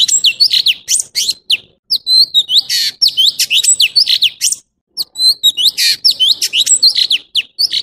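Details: Energetic orange-bellied leafbird song, a crowded run of sharp downslurred chirps, rasping buzzes and sweet whistles in two long sequences split by a short pause.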